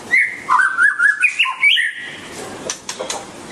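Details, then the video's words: A white-rumped shama (Copsychus malabaricus), dancing and singing, gives a rich, fluting phrase of clear whistled notes that rise and fall, then a few softer chirps against light background hiss. "Singing Chirping Sounds"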